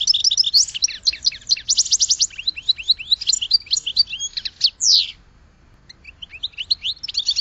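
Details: Goldfinch pouring out a long, rapid, jangling song of high chirps and trills with a buzzy downslurred note near the end, a brief gap, then the twittering resumes.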